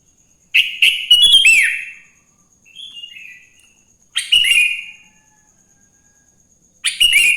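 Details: In the morning, a sooty-headed bulbul sings to prompt other bulbuls: three bubbly chirping phrases with a soft, low warble between the first two, and a faint high whine throughout.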